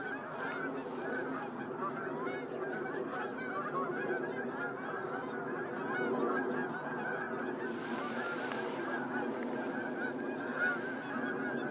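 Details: Whooper swan flock at Starene during 2023: a steady wall of overlapping honking, trumpet-like calls, joined near the end by hissing bursts of broadband noise.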